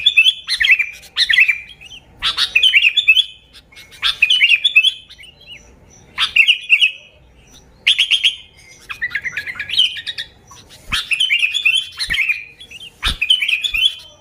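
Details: Repeated lure song of a sooty-headed bulbul, cheerful warbled phrases of chirps and short whistles coming in regular bursts about every second or two, with occasional sharp clicks.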